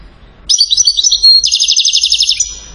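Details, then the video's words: Moroccan European goldfinch from Settat, famed for salasiyat chain song: a short phrase of ringing high twitters running straight into a dense, even rattle of rapid repeated notes lasting about a second. "اعظم ما انتجت الطبيعة في التغريد جدر محسن من سطات ملك السلاسيات"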